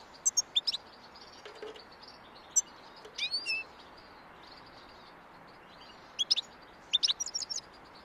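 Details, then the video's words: European goldfinch, described as a mutant, singing: short bright twittering and chirpy notes in scattered bursts, with quiet gaps between phrases over a faint background hiss. "Щегол мутант поёт"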